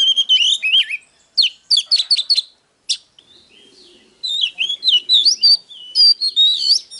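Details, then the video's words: Oriental magpie-robin song of wavering whistles and quick repeated chirps, a short pause with a faint low murmur, then more rising and falling whistled phrases. "Chòe than HÓT - DÉO Kích bổi Ức chế || Kich chòe than VỀ ĐÁ"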